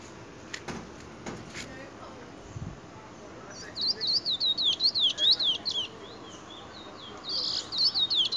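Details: Chestnut-bellied seed finch (Trinidad bullfinch), a bird still in brown plumage, recorded in 2020: after a quiet start with faint voices, a fast run of high, sharp, warbled notes repeats in a quick series, then resumes briefly near the end.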